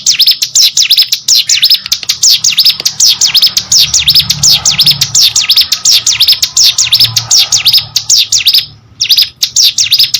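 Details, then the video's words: Sustained, unbroken burst of shrill dipping chirps from a caged hill prinia singing hard, delivered at a brisk, slightly uneven pace for nearly ten seconds with a momentary break near the end. "burung ciblek gunung gacor"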